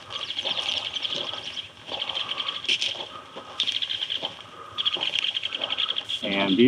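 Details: Both adult White-headed Woodpeckers at an active nest cavity in a snag, Naches Ranger District forest, give alarm calls, scolding people nearby in a steady stream of sharp, high chattering notes many times a second, while a man talks close by.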